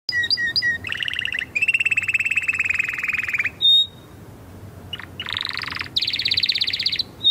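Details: Canary singing a fast varied song: rapid buzzy trills held for over a second, high whistled notes, a sweeping rising roll and a bright high trill, the phrases run back to back with brief pauses.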